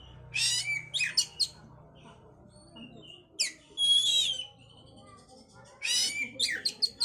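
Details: Oriental magpie-robin song played to stimulate breeding condition: loud bursts of sharp, high whistled and scratchy notes with rising and falling sweeps, separated by short pauses, over a faint low hum.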